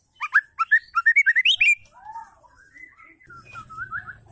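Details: Female white-rumped shama calling: a burst of about ten rapid, rich whistled notes, then softer, lower warbling phrases, with a faint low hum toward the end.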